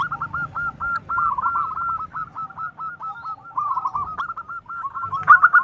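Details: Local zebra dove with a big, active voice, calling to lure a reply, with males and females answering each other. Long chattering run of quick, clipped cooing notes in bursts, some slurred into rolling trills, steady pitch throughout.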